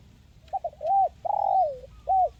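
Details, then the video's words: Spotted dove with a crisp 'mersik' voice in the one-kuk 'kuk 1' style. Two quick stuttered notes lead into a short arched coo, then a long drawn coo that slides downward, then one final arched coo. Low, mellow tones over faint background hum. "SUARA BURUNG TEKUKUR MERSIK"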